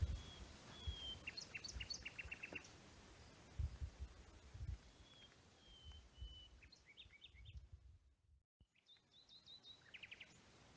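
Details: Common nightingale singing in the pine woods of Rodeno protected landscape, Sierra de Albarracín, Teruel, Spain: distant, thin pure whistles followed by quick chattering notes and stuttered phrases, with low wind rumble throughout.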